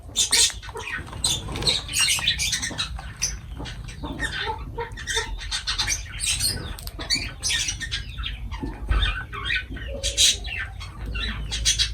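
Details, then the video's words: Lovebirds calling while feeding: dense, overlapping shrill squawks and chirps, many quick bursts in close succession throughout, over a steady low background rumble. "Love birds voice sound"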